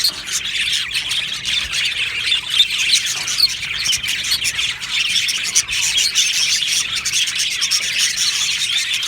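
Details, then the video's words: Aviary full of budgerigars producing constant chattering: layered high-pitched chirps, clicks and warbled squeaks from many birds, with occasional louder sharp notes standing out of the chorus. "Australian Budgie singing birds video | Beautiful Budgie aviary chirping sounds"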